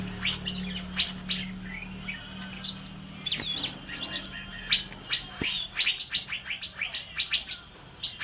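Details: Asian fairy-bluebird singing vigorously, a recording meant for tutoring other songbirds: dense run of sharp, high chirps and short whistled notes, many rising or falling quickly, with a steady low hum underneath.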